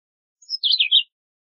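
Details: Brief Philadelphia vireo phrase opening with a faint thin high note, then tumbling through slurred notes to a lower whistled end, about half a second, background silent.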